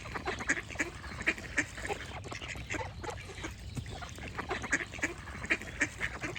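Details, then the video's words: A chorus of ducks giving rasping, nasal quacks in clustered bursts, some spaced in rough rhythm, over a continuous low background hum. "Relaxing Duck Quack Sound Effects"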